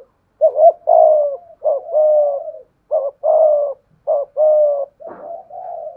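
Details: Spotted dove, a decoy in 'thổ pha thúc' voice, answering a wild dove with 'gù' coos: husky rising-then-level phrases repeated, with a brief rustling noise near five seconds and a softer trailing coo.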